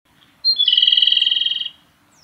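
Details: Male Japanese robin singing at Yanagisawa Pass, Japan, on 28 April 2019: a sharp high opening note, then a rapid, even rattling trill of about twenty pulses lasting just over a second, against a quiet background.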